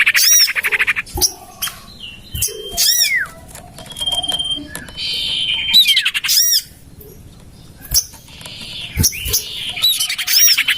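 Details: Common iora lure call: repeated bursts of rapid buzzy chatter with arched squeaky notes, separated by short sustained high whistles and a few clicks, returning every two to three seconds.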